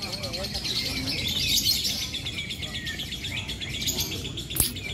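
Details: Lovebird singing at a lovebird fighter contest session at Borobudur. Fast, high chattering trills repeat about four times a second, with rising squeaky notes above constant crowd chatter and a sharp clack near the end.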